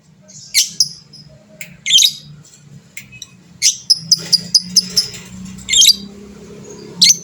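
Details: Lovebird of the fighter type calling to provoke rivals; scattered shrill rasping bursts mixed with a quick series of short high ticking notes, over a steady low hum.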